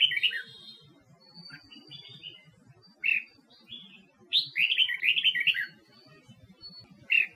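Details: Red-whiskered bulbul from Huế, a caged bird trained for singing contests; short fluty bursts and one longer rolling phrase, thin sustained high whistles in the pauses, low murmuring background.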